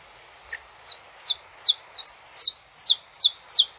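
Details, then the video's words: Saffron finch recorded live in nature: a clear, repeated string of high, bright, falling chip notes, nearly three per second, some given in quick pairs, against a quiet background. "Canto Para Esquentar o Canário da Terra - Gravado ao Vivo na Natureza"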